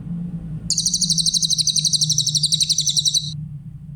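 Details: Grey-headed canary-flycatcher delivering a clear song used to teach other songbirds: a single extended trill of fast, very high, evenly pulsed notes running nearly three seconds, above a steady low background hum.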